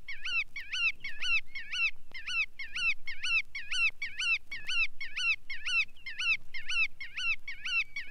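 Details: Bar-tailed Godwit in a steady rapid series of about eighteen reedy, nasal notes that rise and drop in pitch, delivered roughly two per second without pause; faint low background noise.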